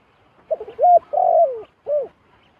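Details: Wild zebra dove that has flown down to a decoy bird, giving soft rolling coos in short bursts, a stuttered note followed by a longer trilled coo and a final arched note, with silence around.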